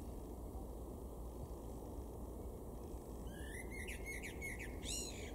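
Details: Male common blackbird singing in a garden in Weener, East Frisia, far northwest Germany, April 2022: one short fluted phrase rising into high thin twittering notes, heard over steady low background rumble and a constant faint tone.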